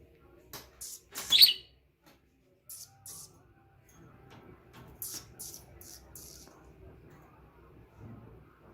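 A budgerigar gives short, scratchy, high chirps in quick bursts, a happy greeting to its owner.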